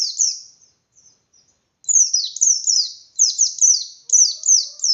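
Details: Caged white-eye (pleci) in full 'ngalas' song with open beak, used to provoke other white-eyes into answering: high bursts of rapid downslurred chirps, a short quiet pause, then longer runs of repeated sweeping notes.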